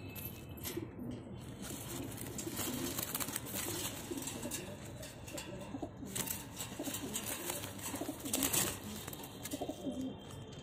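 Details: A pair of pigeons of the Cheena type, kept as pets: low, soft cooing rumbles repeat through the recording under a steady hiss, with faint rustling and clicks indoors.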